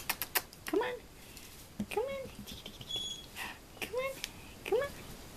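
Goffin's cockatoo giving four short, nasal, arched speech-like phrases over about five seconds, with sharp tapping clicks at the start.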